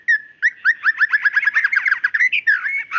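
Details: A short burst from a female white-rumped shama calling the male: one whistled note, then a quick run of bubbling, stuttering notes that rises at the end into a brief whistle.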